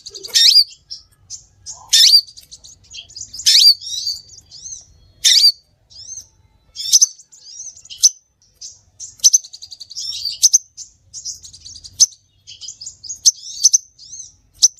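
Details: Lure call of the scarlet minivet: a loud, scattered series of high, sharp chirps and short thin whistles, coming in bursts every second or two across the whole stretch.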